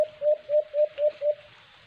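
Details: White-eared brown dove, known locally as alimokon, recorded during cage-trap bird hunting: six low, hollow coos in an evenly paced series, each slightly rising then level, with faint background hiss.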